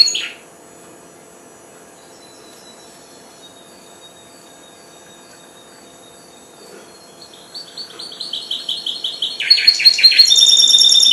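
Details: Four-month-old goldfinch hybrid beginning to sing: after a long quiet stretch, a run of fast twittering notes rises in loudness into a rich, buzzy, jumbled warble at the close.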